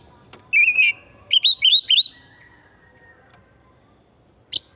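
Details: Wild forest oriental magpie-robin song, played to stimulate other birds to sing: one warbled whistle followed by three linked looping whistles, a long pause, then a single sharp note.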